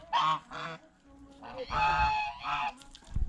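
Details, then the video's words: Geese at a fish pond, feeding on bread and vegetables, utter a few harsh nasal honks, some drawn out, with splashing or feeding noise at the end. "เสียงห่านร้อง ห่านกินขนมปังกับผักสดในบ่อปลาอย่างเอร็ดอร่อย | Goose Sound Effects"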